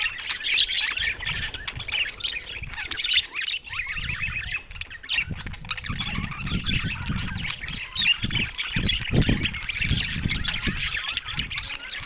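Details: Budgies chattering together: a steady mass of squeaky chirps and twittering warbles, with bursts of low rumbling and knocking now and then across twelve seconds.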